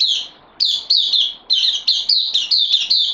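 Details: Newcomer bulbul on loan, recorded 12 September 2020: a lively series of bright chirping notes with quick rising onsets and falling tails, coming in close groups after a brief opening pause.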